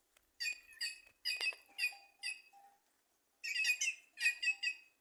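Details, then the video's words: White-naped jay singing in trees at Simões, Piauí, in northeastern Brazil; loud harmonic chattering notes in quick bursts of two to three, a pause of about a second, then two denser clusters of notes. "Ave Cancão cantando nas árvores"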